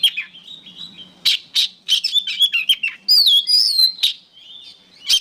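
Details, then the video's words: Oriental magpie-robin (kacer) song used as training material for songbirds: loud varied phrases of sharp chips, clear high whistles and rapid warbled runs, some notes rising and falling, with brief quieter gaps between bursts. "MASTERAN BURUNG KACER GACOR"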